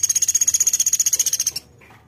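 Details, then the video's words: Velvet-fronted nuthatch (platuk beras) giving a loud, even, very high trill of about twenty-five rapid ticks over a second and a half, stopping abruptly, then a faint soft note in quiet. "MASTERAN MEWAH PLATUK BERAS GACOR"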